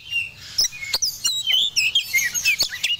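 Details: Oriental magpie-robin, Medan type, in breeding condition, pouring out high, sweet whistled phrases mixed with sharp clicks and rapid warbles, nearly continuous over a faint low hum.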